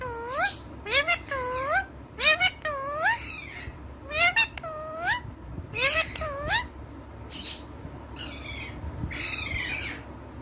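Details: A female Indian ringneck (rose-ringed parakeet) talks in short, nasal, speech-like bursts of upswept syllables, about a dozen phrases in ten seconds, with faint room hum behind.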